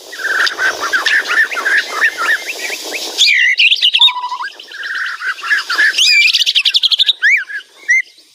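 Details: Loud, busy song of a White-rumped shama (murai batu): quick repeated chirps at first, then a steady lower whistle, buzzy rattling trills and high, sharply rising whistled notes tumbling over one another.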